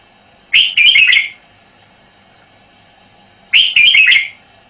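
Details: Red-whiskered bulbul, a caged male, repeating the same loud, bright warbled phrase twice, three seconds apart, in quiet surroundings.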